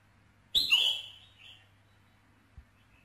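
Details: A single loud, ringing red-whiskered bulbul phrase, used to provoke a male, bursts out sharply and then trails off into a brief softer note, with quiet surroundings.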